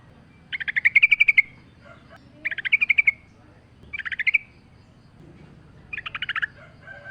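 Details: Sooty-headed bulbul singing repeatedly for a lure recording with natural sounds: four quick bubbly trilled phrases roughly 1.5 seconds apart, each a rapid string of notes, with faint softer calls between and a low hum throughout.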